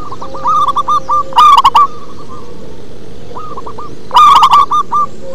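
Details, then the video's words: Local zebra dove singing bassy coos: runs of short repeated coo notes build into two loud, rapid, slightly rasping bursts, with a low steady tone and hiss behind. "Perkutut lokal manggung ngebas"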